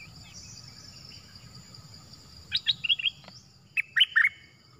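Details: Wild cream-vented bulbul replying to a caged decoy bird: two short clusters of clear chirping notes, the first around four notes, the second three, over a steady low insect hum.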